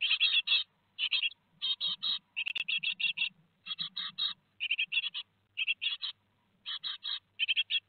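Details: Nest-box brood of great tits at Théding on 15 July 2020, two days before leaving the nest, giving steady bursts of scratchy, buzzy chirps in groups of two to five, with a single sharp knock partway through.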